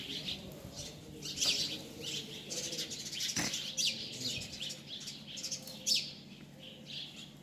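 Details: Birds twittering outdoors, repeated high chirps and downward-sweeping notes in loose bursts, with a thump and low background noise.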